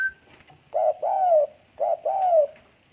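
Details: Tame spotted dove cooing indoors: two phrases, each a short low note followed by a longer, slightly descending coo, about a second apart; a brief high whistle sounds at the start.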